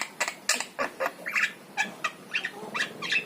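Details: Harsh and whistled notes alternate in this yellow-eyed Javan myna song, each brief phrase separated by short gaps, over quiet background noise; recording aimed at prompting pet mynas to sing.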